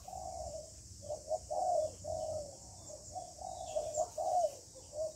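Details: Female spotted dove cooing to rouse a male, 'hạp bổi' style: a run of soft, muffled coos repeated steadily, faint against hiss and low rumble, one slightly stronger drawn-out coo in the middle.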